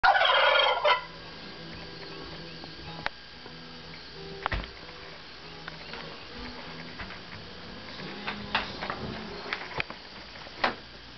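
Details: Wild turkeys gobbling at sunrise while strutting near a porch; one loud, rapid, rattling gobble fills the first second, followed by near quiet with scattered faint clicks and a few distant chirps.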